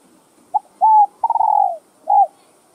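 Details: Spotted dove cooing, played to stimulate newly caught doves into calling: a short soft note, a clear level coo, a long rolling quavering coo falling at the end, then a final short coo, in a quiet setting.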